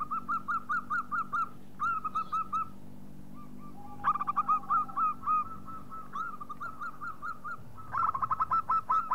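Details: Local zebra dove, a loud-voiced bird, in a lure recording: repeated series of short, bright, staccato cooing notes, some overlapping, with a faint steady tone and a low hum beneath.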